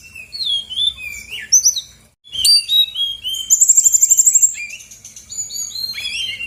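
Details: Female brown-chested jungle flycatcher from Bali singing energetically as a lure for lazy birds: varied high whistles and slurred phrases, a brief pause, then a fast even rattle of about a dozen clipped notes before further whistling.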